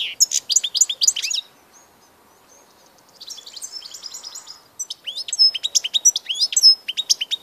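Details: European goldfinch song dated 16 March 2014: rapid bursts of bright twittering notes with sharp downslurred chirps, a pause of near silence, then a softer buzzy passage and renewed quick tinkling phrases.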